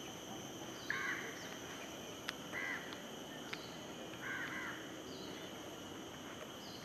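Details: Chestnut-winged cuckoo at the main bridge into Sungei Buloh, Singapore, giving its usual loud call: three harsh, raspy calls about every two seconds, with faint clicks and a steady insect hiss behind.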